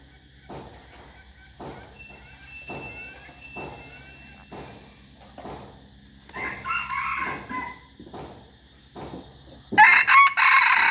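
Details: A rooster crows partway through, a hoarse, drawn-out harmonic call over faint repeated low thumps. A burst of loud, noisy sound follows near the end.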